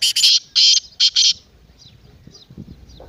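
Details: Partridge call for stirring a silent pet partridge to call: five loud rough rasping notes in the first second and a half, followed by quiet distant chirps and faint low noise.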